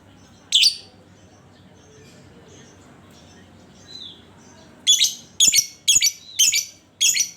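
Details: Lovebird lure meant to set other lovebirds singing: one harsh high chirp, a quiet stretch, then a rapid run of five rasping chirps about half a second apart.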